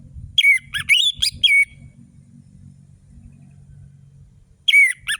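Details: Orange-headed thrush singing in a fast, sharp style, offered as a lure to stir silent birds. Loud, clear whistled phrases sweep up and down, some slurred and some trilled. They come in a burst of four, then a long pause, then another phrase, over a low rumbling background.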